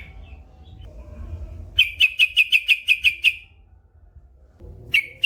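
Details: Yellow-vented bulbul (trucukan), said to be singing gacor with long ropel, used as masteran for caged birds: low rumbling noise, then a fast run of about nine sharp, bright chirps, a pause, and one more chirp.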